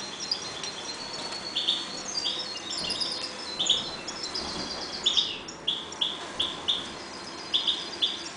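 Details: Caged European goldfinches breeding in a 1.20 m cage give high twitters early on, then a series of short sharp chirps repeated about every half second in the second half.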